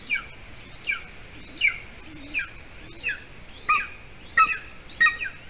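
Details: Golden eagle nest in Latvia, evening of 06-12-20, adult male delivering a bird to the chick; fainter high, slurred chirps repeated roughly every seven-tenths of a second over a steady background hiss.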